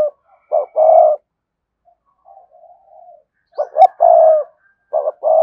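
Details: Spotted dove in a 'thúc gù' cooing sequence used to rouse another dove: short hoarse coo notes and a sustained low coo, a soft trailing murmur, then a clipped double note, a long coo and further short coos.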